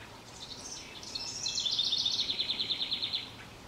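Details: Young robin outdoors, giving a high, thin twittering series that settles into rapid repeated chips, about three per second, for two seconds; faint background hiss.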